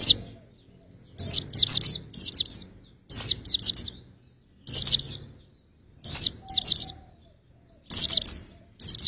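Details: White-eye chirping used for vocal testing: short clusters of two or three piercing, high down-slurred notes repeated roughly every second, with quiet gaps between clusters.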